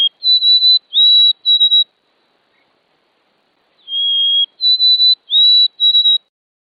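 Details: White-throated sparrow (Zonotrichia albicollis) sings twice, a song rendered "Où es-tu Frédéric, Frédéric": a clear, high, pure whistle followed by quick stuttered triplet notes on a steady pitch, with no other sounds.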